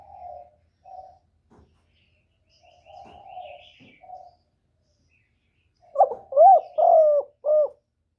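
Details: Spotted dove cooing used as a lure for trapping: soft, low, drawn-out coos at first, then a loud phrase of three or four short, rounded, slightly rising-and-falling coo notes, in near silence.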